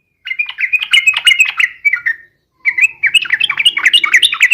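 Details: Rival-provoking fighting song from a Yellow-vented Bulbul: two rapid, bubbly chattering bursts, the first fading downward, the second rising in intensity, with a short gap between them.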